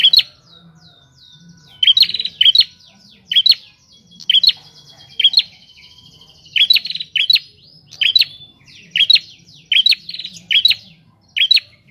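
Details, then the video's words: A wild prinia in full, lively song outdoors: bright, high, clipped double and triple chirps with short buzzy trills, repeated steadily about every 0.7 seconds, with a soft low rumble beneath. "Burung prenjak liar gacor di alam bebas."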